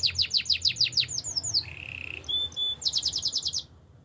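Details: Male canary delivers rapid falling whistled sweeps, a short low buzzy trill, two thin high whistles, then another burst of quick sweeping notes before stopping.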